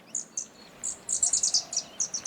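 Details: Red-backed Fairywrens at a wetland on Bribie Island, Australia, give very high, thin, sharp notes, first spaced out, then quickening into a rapid run of about a dozen tinkling chips.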